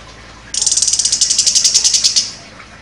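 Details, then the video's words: A contest-champion chestnut-capped thrush fires off a sharp 'nembak' phrase: a long, harsh, high rattling trill of about seventeen evenly spaced pulses, lasting over a second and a half. "ANIS KEMBANG JUARA NEMBAK TAJAM"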